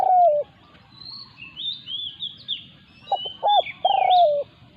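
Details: Spotted dove, a decoy bird challenged by a wild resident dove holding its territory. One long coo opens, then a phrase of short notes and a drawn-out falling coo. Thin rising whistles from other birds run throughout.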